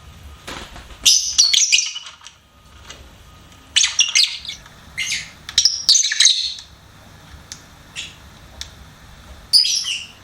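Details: Pet lovebird singing and chirping indoors, a string of shrill, scratchy squeaks and chattering bursts in irregular clusters, with brief quiet spells between.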